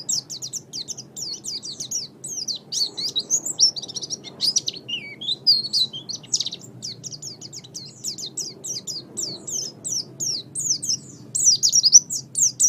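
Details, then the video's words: Pleci song meant as a master recording for pet songbirds; a long, nearly unbroken stream of thin high chirps and wavering twitters, with a few lower swooping notes midway. "MASTERAN GACOR - Suara Burung Pleci"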